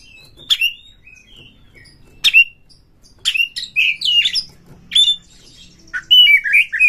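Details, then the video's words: Oriental magpie-robin singing as a lure to provoke rivals: sharp whistled notes spaced a second or more apart, then a busier stretch of twisting whistles and scratchy notes. "Pancingan Kacer ini dapat Mendongkrak EMOSI PANCINGAN KACER TOP BUKA EKOR"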